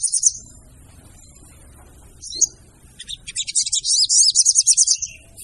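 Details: Female sogon call used as a lure by bird catchers: a high, scratchy chirp, a pause, another brief note, then a fast run of sharp, buzzy, rattling notes climbing in intensity.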